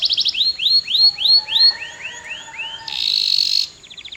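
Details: Canary singing rising, bell-like swooping notes in a repeated series over a low sustained tone, then a harsh buzzing burst and a brief quick trill.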